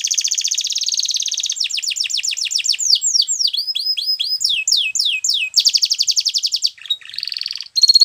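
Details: Belgian canary singing: a fast buzzy trill, then rapid upslurred whistled notes and downward sweeps, another dense rolling trill, and a brief lower whistled phrase near the end.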